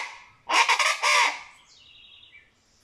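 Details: Venezuelan chachalaca (guacharaca) gives a loud, harsh, raucous burst of three or four grating notes in under a second; fainter, thin tonal notes trail off after it.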